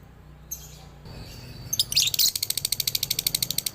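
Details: Male lovebird from Ciamis sings in the dobelan style, used as a training recording for other lovebirds. A few faint chirps lead into a rapid, high, buzzy chattering trill with many short pulses each second.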